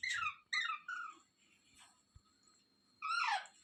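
A parrot gives three harsh, falling squawks in quick succession, then a louder, longer screech after a pause; a faint steady high whine hums underneath.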